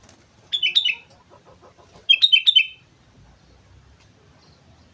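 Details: On Mount Slamet a vigorously singing sooty-headed bulbul gives two brisk phrases of bubbling whistled notes, with a faint series of lower chirps in between.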